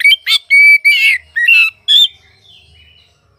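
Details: Oriental magpie-robin song from a kept bird: five or six loud, clear whistled notes, some flat and some slurred with harsh buzzy edges, given in quick succession, then fading to soft trailing warbles.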